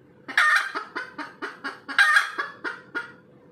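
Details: Post-laying cackle of a red junglefowl: two harsh squawks each followed by a rhythmic series of clucks about a quarter second apart, with a faint steady hum in the background.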